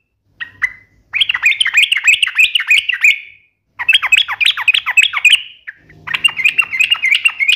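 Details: Lively sooty-headed bulbul singing the sharp 'ropel' style: three fast, rolling phrases of high chirped notes, each lasting about two seconds, with a faint low hum under the last phrase.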